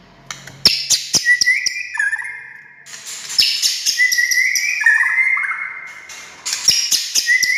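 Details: Active white-rumped shama song meant to provoke other shamas: crisp clicks and chattering mixed with long level whistles that step up and down in pitch, ending in quick sharp notes.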